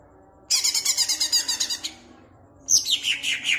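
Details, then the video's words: Caged greater green leafbird from Pemalang, its song played to fire up other birds: a dense, fast rattling trill of high chirps lasting over a second, then a brief pause and a cascade of descending whistled notes. "BUAT CUCAK IJO MU CEPAT EMOSI DENGAN PLAY VIDEO INI"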